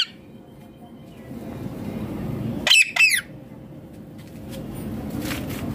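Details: Rose-ringed parakeet, a green Indian parrot kept as a pet, gives two loud, harsh squawks with wavering tone close together mid-clip, otherwise only a low indoor hum.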